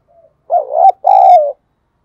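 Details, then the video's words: Caged decoy spotted dove cooing to draw in wild doves: a faint short note, then a two-part phrase with a wavering first coo and a sustained second coo that slowly falls, quiet surroundings. "Chim Cu Mồi Thúc Bổi Và Gáy Gọi Hay/ Tiếng Chim Cu Gáy Thúc Gù Căng"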